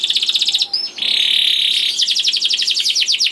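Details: Juvenile canary song meant to prompt other canaries into singing, with fast repeated descending notes, a long steady buzzy trill, then quick chopped phrases again.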